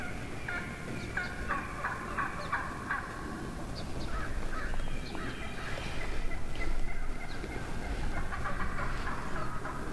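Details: Many wild turkey hens vocalizing together within a large morning flock in the woods; a dense chatter of short, stacked yelps and clucks that thickens toward the end, over a low rumbling background.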